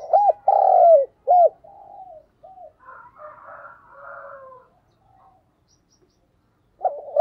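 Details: Spotted dove used as a decoy to draw in wild doves opens with a loud phrase of short hoots, a long coo and a brief end note, followed by quieter, wavering coos from other doves before the next phrase starts.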